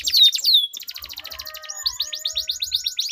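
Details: Canary duel used as a lure for quiet canaries, long rolling song: quick falling slurred whistles give way to a dense, rapid high trill that keeps rolling on, with faint low thumps beneath.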